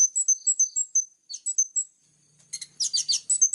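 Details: Plain-throated sunbird singing in the sharp 'tembakan' style: a quick series of high clear whistled notes at varying pitch, a short pause, then a denser burst of rapid high twitters.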